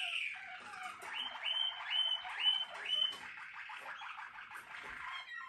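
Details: Malinois Waterslager canary, a song canary bred and selected for singing, delivering a continuous rolling, water-like trill with repeated rising liquid notes about twice a second, fairly soft against a quiet background.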